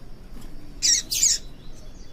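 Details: Female Yellow-bellied seedeater (papa-capim) calling to stimulate males to sing. Two short, harsh, high chirps in quick succession, about half a second apart, over faint background hiss.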